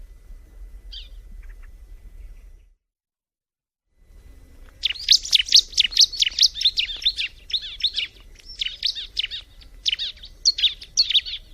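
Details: Bar-winged prinia song starting after nearly five quiet seconds: a fast, steady string of high, thin chirps repeated more than twice per second, each note sharply bent, continuing to the end.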